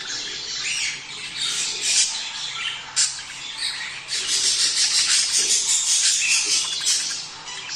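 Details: Budgies chattering in a breeding-stimulation recording meant to motivate pairs to mate. A busy high twittering chorus, with sharp squawk bursts near the second and third seconds and a denser rush of chirps later.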